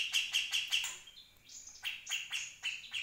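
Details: Grey-cheeked Bulbul, a 2020 recording made to tutor other birds. Several quick harsh chirps are followed by a rising whistled slur, then more irregular loud chirps.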